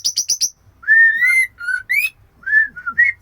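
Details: Female murai batu calling to a male, opening with four quick high chips, then rich whistled notes that rise and fall, some long and sliding upward, in short phrases separated by pauses.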